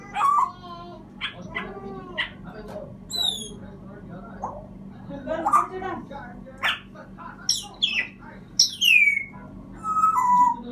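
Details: African grey parrot producing a busy series of loud whistled sweeps, some rising and some falling steeply, mixed with harsh harmonic squawk-like notes and speech-like babble, about a dozen distinct sounds over ten seconds.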